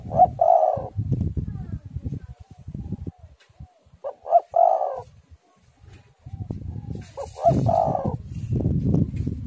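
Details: Spotted dove singing, a recording used to lure and prompt other doves to sing; three coo phrases, each two short notes then a longer rolling coo, over constant low rumbling wind noise.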